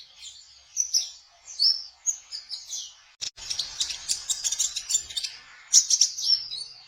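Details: Kolibri ninja sunbird in trotol style, played to attract konin birds for trapping; high squeaky twitters build into a dense, fast buzzing chatter after a short click midway.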